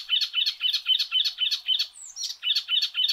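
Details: Icterine warbler (Hippolais icterina) repeating one buzzy, chattering phrase about four times a second in a steady rhythm, broken once by a thin high whistle.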